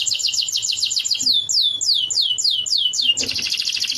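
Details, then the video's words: Canary song used for training a lovebird: a quick trill gives way to a series of slower, evenly spaced swooping notes that slide downward, then a sudden dense buzzing roll. "Suara Burung Kenari Isian Lovebird"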